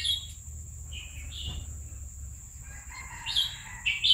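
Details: Scattered short whistled notes, then a thin, drawn-out phrase and sharp chips toward the end, from a red-whiskered bulbul kept in a cage for two years; low hum underneath.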